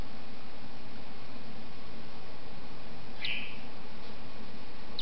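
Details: Newly hatched cockatiel chick, hatched early morning or late the night before, in a nest lined with aspen bedding while its mother guards it; one short raspy peep midway, with a faint second note at the end, over steady room hiss.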